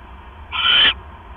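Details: An owl screeches once at 7:24 PM on October 18, 2015, as a rat is delivered to its mate. The single rasping call lasts about half a second against a quiet hum.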